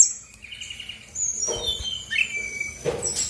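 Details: Brown-chested jungle flycatcher, female of Bali origin, singing as a lure for reluctant songbirds: thin sustained whistles and falling slurred notes over faint low background noise.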